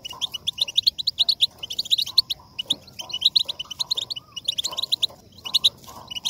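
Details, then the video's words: Goldfinch song for motivating singing: bursts of fast, high, tinkling notes and trills, phrases of one to two seconds broken by short pauses, with a faint lower murmur behind. "La voz del jilguero para motivar el canto"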